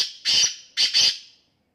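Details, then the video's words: The Black francolin, or sindhi teetar, gives harsh, scratchy calls: a fading tail, then two drawn-out grating notes, the second one doubled, trailing off into silence. "sindhi teetar ki awaz black teetar ki awaz kala teetar ki awaz desi teetar ki awaz blackfrancolin"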